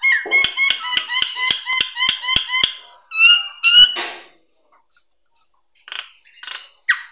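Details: ['Nias hill myna tutor song for training songbirds: a rhythmic run of clicking harmonic notes about four a second, two louder whistles, then soft scattered notes after a quiet gap.']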